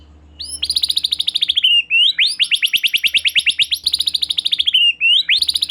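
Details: Persistent white-rumped shama (murai batu gacor) song, used as a lure to make another shama sing: long runs of fast, evenly pulsed high trills rising at each start, with only tiny breaks.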